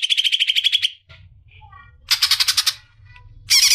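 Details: Greater green leafbird, a female calling to a male: rapid bright trilled notes, a pause with soft scattered chips and low rumble, then another quick buzzy burst and a final loud harsh flurry.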